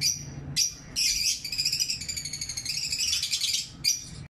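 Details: Lovebirds chattering in the morning, pet birds, a long run of rapid, rhythmic high chirps pulsing several times a second after a few opening bursts, ending abruptly.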